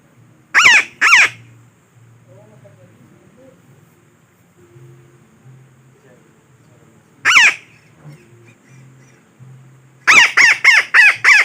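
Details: Parakeet lure call for trapping: two harsh squawks, a long quiet stretch, one more squawk, then a rapid burst of five squawks at the end.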